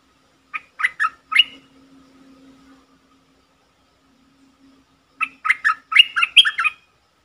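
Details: Bulbul decoy call from a luring session recorded 24 September 2021: a short series of sharp chirps, about two seconds of near silence with a faint low hum, then a longer run of loud, warbled, bubbly notes.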